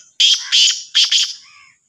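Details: Black francolin call: harsh, grating high notes in two pairs, each burst loud and rasping, separated by a brief gap, fading with a faint echo.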